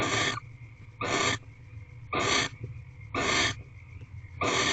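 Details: Female barn owl lying in her box on 28 February 2023, early evening. She gives loud, harsh wheezing hisses, five in under five seconds, evenly spaced, with a steady background hum.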